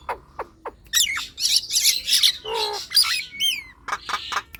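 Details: Singing Nias hill myna, played as a lure to coax sluggish birds into song: a few low clicks, then bursts of harsh squawks, nasal buzzing notes and bright upward whistles.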